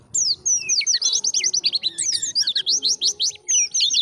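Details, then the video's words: Continuous high white-eye warbling in the ngalas style: dense, quick strings of slurred and zigzag whistles with barely a break over four seconds, recorded for training caged birds to sing. "PLECI GACOR suara ngalas || mengudang bunyi BURUNG PLECI Kontan Langsung Nyaut"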